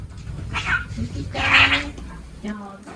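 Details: Pet male cockatiel, hatched around February 2022, chatters happily to itself while waiting patiently indoors during room cleaning: short bursts of harmonic, scratchy warbling notes at intervals, with a faint low room hum beneath.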